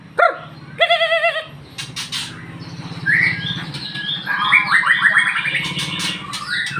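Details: Caged magpie-robin kept as a house bird, lure song in the morning: a few harmonic squawks, then a run of varied chirps and warbled notes with a low background hum.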